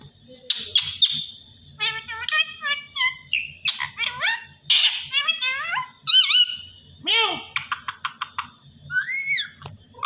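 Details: A pet parrot talking, said to be saying "Allah Hoo", delivers a long, busy run of chirps, nasal word-like syllables, quick stuttered notes and swooping whistles, almost without pause, over a low background hum.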